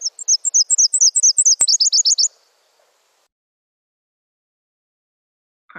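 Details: Nashville Warbler singing in a quiz playback: a bright run of high paired notes repeated steadily, shifting into a faster, lower-pitched closing series, then silence with a brief click and a short noise at the end.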